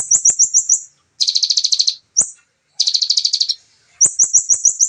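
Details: A ciblek, the bar-winged prinia, in rapid, close-packed shooting-style song: a series of bright high chips, then a harsh buzzing rattle, a single chip, another rattle, and a closing run of chips.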